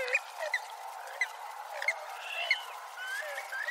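Purple swamphen giving short, sharp clipped notes at an uneven pace, about one and a half a second, mixed with harsher nasal calls over a busy marsh background.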